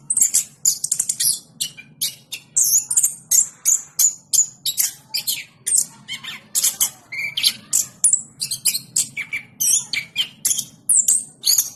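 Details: Energetic orange-headed thrush song, a continuous, rapid stream of high, varied chattering and scratchy notes with short whistles woven in, delivered without pause for nearly twelve seconds.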